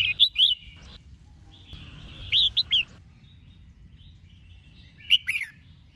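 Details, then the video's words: Singing female red-whiskered bulbul meant to provoke males: three clusters of bright, bubbling whistled notes about two to three seconds apart, each a quick run of rising and falling chirps, over quiet low hum. "Chim Chào Mào Mái Hót Kích Trống"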